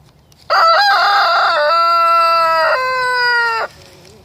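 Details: Close, very loud rooster crow in the morning: a three-second cock-a-doodle-doo with a few choppy opening syllables, a held middle part and a final step down in pitch before stopping abruptly.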